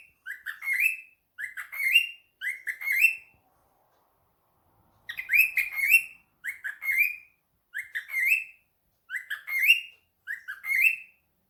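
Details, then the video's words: Pet cockatiel answering a phone call with a steady series of rising, raspy chirps, roughly one per second, in groups of three and five with a silent gap between them. "the cockatiel fam: Answering a phone call"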